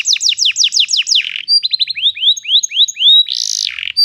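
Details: Canary performing a long roll, played as training for young canaries learning their song: rapid falling whistled notes, then slower upslurred chirps, a harsh buzzy burst and a final sweeping note.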